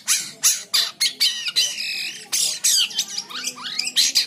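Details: White-shouldered triller singing in a lively session meant for tutoring other birds: harsh squawky bursts alternating with sweeping whistled slurs, loud and clipped, repeated in quick succession with a steady faint background hum.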